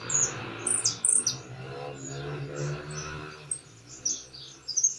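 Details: European goldfinch song with a closing flourish, a field bird: short high twittering chirps at the start and end, with a steady low rumble of background noise in between.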